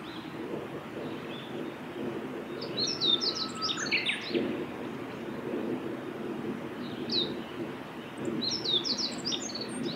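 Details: On a forest road by Miyagase Lake, 6 May 2016, a male meadow bunting sings short, rapid bursts of high, tinkling notes at irregular intervals, over a broad low rushing background and faint distant bird notes.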